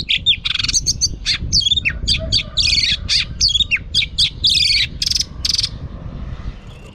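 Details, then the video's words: Female oriental magpie-robin singing to rouse males: a continuous, dense stream of varied chirps, buzzy trills and whistled fragments, nearly unbroken for several seconds, over steady low background noise. "Choè than mái kích trống hay nhất"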